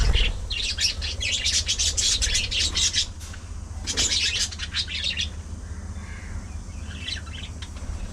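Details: Budgerigars in a social colony, playing and socializing, pour out dense high chattering chirps in two long bursts, each about two to three seconds, then sparse scattered notes, over a steady low hum.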